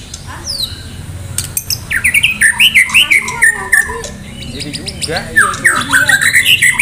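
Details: Contest-ready Medan white-rumped shama in full song with varied fill phrases: sharp clicks, then rapid rising and falling whistled notes repeated in quick series, with a low background hum.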